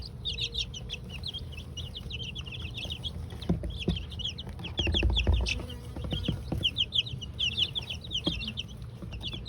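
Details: A group of two-week-old mixed-breed chicks peeps continuously during their first dust bath in the coop, fast high chirps in long runs, with clicks, scratching and a low background rumble.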